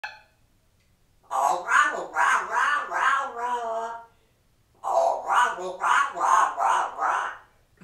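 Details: Talkative male pet African grey parrot, hatched in 1997, kept at home in Texas, imitating human speech: two bursts of about five rhythmic, voice-like syllables each, separated by a short pause, in a quiet indoor room.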